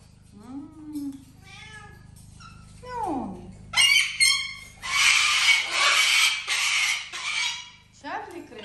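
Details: Pet parrots perched on an old computer screen indoors, sharing a house with other exotic animals: a few drawn-out descending whistled notes, then a run of loud harsh broadband squawks, with a steady electrical hum.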